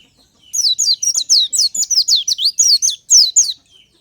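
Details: Natural morning song of an Oriental white-eye, used to prompt other birds: one continuous run of about fourteen quick, high, down-slurred chirps lasting roughly three seconds, very clear with no background.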